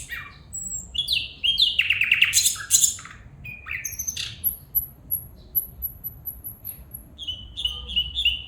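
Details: Female bulbul calling, giving a rapid jumble of harsh, buzzy chirps and short sliding notes, followed by a string of thin, high, clipped whistles and a few descending chirps near the end.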